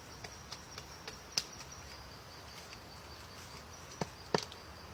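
A woodpecker pecks at wood in sharp, irregular taps, several in the first two seconds, then two louder strikes near the end, over a steady high background hiss.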